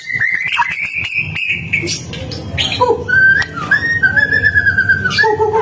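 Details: Pure whistled notes from a White-rumped shama singing gacor style: a sustained level whistle, a short pause, then a clear undulating tone and lower closing whistles, over a low background hum.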